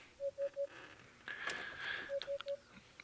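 Two sets of three flat, even electronic beeps bracket a burst of hissy, rushing noise, with no animal voice heard.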